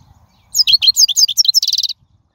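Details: Wild European goldfinch song, a recording meant for tutoring young birds: a rapid, tinkling run of high twittering notes with buzzy trills, ending in a quick repeated trill, about one and a half seconds long.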